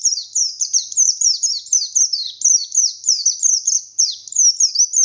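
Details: Oriental white-eye of the buxtoni form, a kept bird singing vigorously in the wild-style 'ngalas nembak' manner: a continuous run of high, thin, rapidly descending whistled notes, about three per second, with no other sounds.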